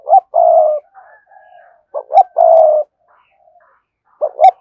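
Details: Cooing spotted dove of the cườm sa type: a rising double note, then a long even coo, repeated twice, with soft fainter tones between phrases.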